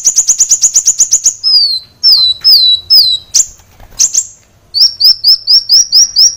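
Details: Frenzied song of a sunbird, recorded to train caged birds: opens with a rapid rattle of thin chips, then drawn-out descending whistles and sharp notes, ending in a fast repeated series of upslurred whistles.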